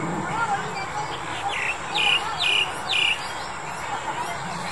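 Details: Female Asian Koel calling in February 2021: a short run of four sharp, downward-slurred notes about half a second apart, over a steady hum and a distant low rumble.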